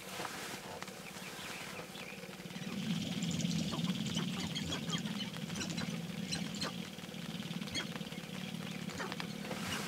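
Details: Sharp-tailed grouse at a lek in early morning, roughly 30 to 40 birds with only a handful of females performing the mating dance; a dense chorus of rapid clucks, coos and pattering stamps, with a steady low hum throughout.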